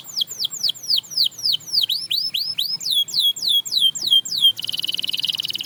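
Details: Canary singing to inspire others to sing again: clear high whistles dropping steeply in pitch, repeated several times, then a few upward slides and a closing fast buzzy rattle.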